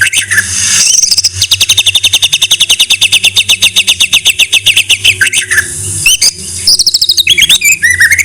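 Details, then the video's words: Masteran tutor song of the white-rumped shama (murai batu): a few whistled notes open into a long rapid trill of uniform high notes, followed by sliding whistles and chattering phrases. "Masteran MURAI BATU"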